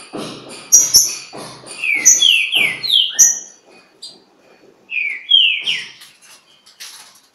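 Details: Green-winged saltator singing against a free bird at Pedra Azul: clear descending whistles in two phrases, the second after a brief pause, over high chips and muffled rustling bursts.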